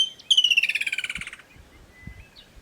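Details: A Woodland Kingfisher in the bushveld of Kruger National Park gives a short note, then its loud, bubbling trill of rapid notes sliding steadily downward for about a second.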